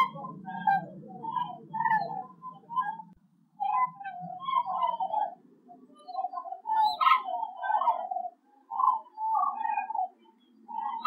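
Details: A flock of common cranes migrating high over the Werra valley, Herleshausen, Hesse, Germany, on the afternoon of 18 October 2020, heading southwest from Scandinavia toward France and Spain, gives loud, rolling, trumpeting calls that overlap continuously, with faint low rumble underneath at first.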